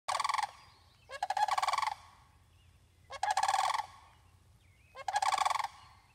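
Sandhill crane giving loud, rolling, rattling bugles, each about three-quarters of a second long, repeated roughly every two seconds over a quiet low hum.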